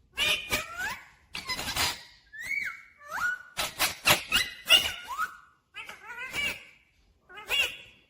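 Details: A pet talking Rose-ringed parakeet, said to say 'mummy papa', produces a string of clipped harsh notes and clear bending, whistled, word-like tones over about eight seconds, with short pauses.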